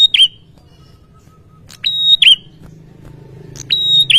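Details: Male bar-winged prinia singing persistently to make rivals answer quickly: three sharp phrases, each a click into a level high whistle ending in a lower flicked note, with low background rumble.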